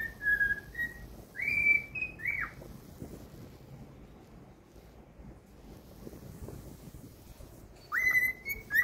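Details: Pet cockatiel singing: a few level and swooping whistles at the start, a long quiet stretch, then a loud rising whistle returns near the end.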